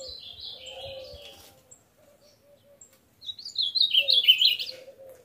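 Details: Nine-month-old caged male Ultramarine Grosbeak singing strongly in the morning, song now deeper: a descending warbled phrase, a pause, then a louder, rapid, jumbled warbling run, over soft repeated dove coos.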